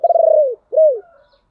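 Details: Lure spotted dove calling to attract wild birds: a loud stuttering coo, pulsed at first and then smoothing into a long falling note, followed by a single arched coo that drops away.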